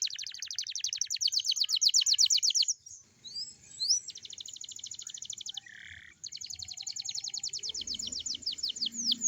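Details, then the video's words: Young canary in morning song, a lure meant to get young canaries singing: sustained rapid high trills broken by a brief pause with scattered chirps and a short buzzy note, then trilling resumes. "kicau kenari paud di pagi hari cocok buat pancingan kenari paud"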